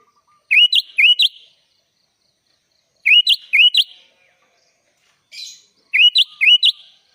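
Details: Sooty-headed bulbul in gacor full isian song repeats a crisp phrase of four rising whistled notes roughly every two and a half seconds, with one soft breathy sound between phrases.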